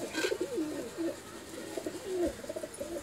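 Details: Domestic pigeons are kept by a hobby breeder in India. Rolling, bubbling coos rise and fall in quick succession, with a brief click near the start.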